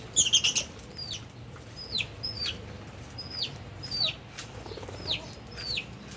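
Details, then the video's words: Albino and Fischer's lovebirds eating and playing, giving short high downward-sweeping chirps roughly once a second, with a burst of wing flapping or rustling at the start. "Lovebirds Chirping Sounds"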